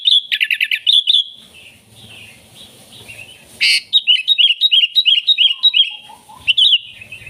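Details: Sooty-headed bulbul in full song, meant to call in wild bulbuls: a dense burst of rapid chirps, a sharp loud note, then a long run of evenly spaced bubbling notes.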